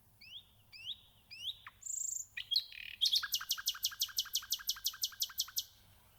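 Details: Nightingale song opening with three rising whistled slurs, then a high, thin whistle and a brief buzz. It ends in a loud, fast run of sharp, evenly repeated clicking notes.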